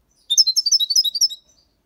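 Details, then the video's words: Caged six-month-old European goldfinch singing the Malaga copy style with motifs: one rapid burst of high twittering, tinkling notes lasting about a second. "Jilguero cantando Limpio 6 meses/ chardonneret chante la copia Malaga / Goldfinch singing"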